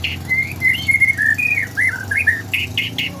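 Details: Captive White-rumped shama of the Medan R9 line, singing in bowing display style, used as a lure to train young birds: clear whistled phrases, slurred up and down, running continuously, ending in three short buzzy bursts; faint low hum underneath.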